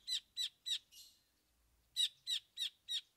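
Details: Long-tailed shrike (cendet) singing its 'isian' filler repertoire: two groups of harsh, scratchy, high notes, three then four, evenly spaced about three per second, with a softer note and a short pause between them.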